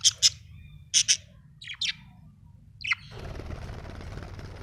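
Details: A happy budgerigar gives paired high chirps about a second apart, then a downward squeak, before a steady hiss takes over.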